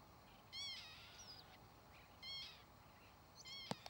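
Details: Northern lapwing giving three nasal, mewing calls, each a stacked, arched note rising then falling, with a thin high whistle between the first two and a sharp click near the end over quiet background hiss.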